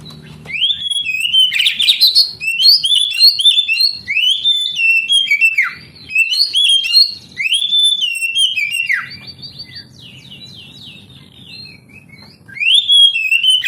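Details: Varied whistled song of an oriental magpie-robin, played to stimulate young canaries that are reluctant to sing. Rapid run of looping, slurred notes and sharp upslurs, then a pause with low background rumble before the song resumes.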